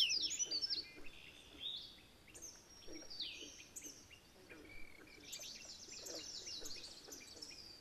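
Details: Alder flycatcher in scrubby habitat in Maine; a pair defends its territory against another alder flycatcher. It gives short, high, buzzy phrases every couple of seconds over other birds chirping and twittering.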